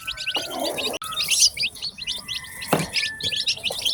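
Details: Ten newly hatched chicken chicks on a farm giving bright high peeps in quick succession, with a couple of sharp clicks or knocks breaking in.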